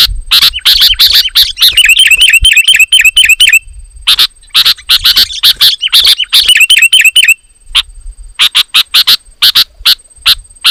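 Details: Loud sooty-headed bulbul song used to lure wild bulbuls and spur rivals to sing; scratchy chip notes interwoven with two fast bursts of clear, ringing, repeated chirps, then evenly spaced sharp chips toward the end.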